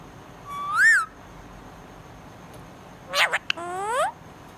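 A budgerigar gives a rising-and-falling whistled chirp, then after a pause a rough burst and a harmonic-rich upswept whistle. No other sounds stand out.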